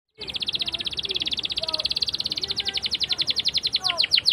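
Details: Canary song used as a lure for young canaries learning to sing, a long rolling trill (ngerol): rapid high repeated notes running steadily for over four seconds, with faint lower chirps beneath.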